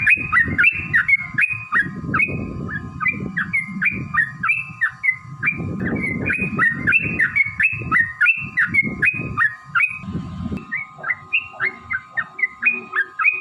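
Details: Yellow-vented bulbul singing a long rapid song used as a lure for caged birds. A steady stream of bubbly, slurred whistles is set against a constant steady tone and heavy low rumbling noise.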